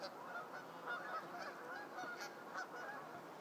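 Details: Geese resting on a morning at a shoreline conservation area in Whitby, Ontario; a dense, continuous chatter of low honking calls with a few brief, sharper notes breaking through.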